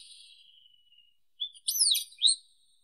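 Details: Wallcreeper (Tichodroma muraria) song ending: a fading thin whistle, then a quick burst of high sharp twittering and slurred chirps.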